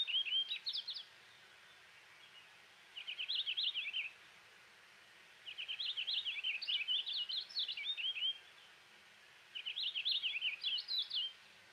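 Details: Purple finch (Haemorhous purpureus) song: four light, bubbly, rambling high warbles, each a second or more long, with quick slurred notes, separated by quiet pauses and lacking the hard "zree" sounds of House Finches.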